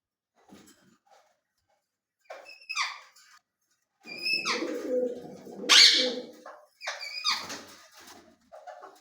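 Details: Talking ring-necked parakeet giving sharp, piercing squawks with bent harmonic tones, interspersed with a low, murmuring, speech-like babble in the middle, and short gaps of silence between bursts.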